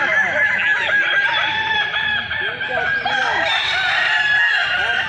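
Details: Balenggek roosters at a Kota Solok crowing festival keep up an unbroken chorus of long crows, each a string of small rising-and-falling syllables, many birds layered together with a busy crowd background.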